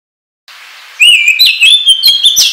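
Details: Oriental magpie-robin song used as a trapping lure: after a half-second of faint hiss, a loud run of clear whistles sliding up and down, with sharp clicks and short trills packed closely together.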